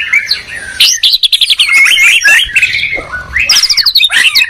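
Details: Duel of white-rumped shamas, a Medan bird against a Borneo bird: bright high whistles, rapid trills and sharp sweeping notes, delivered in dense overlapping bursts.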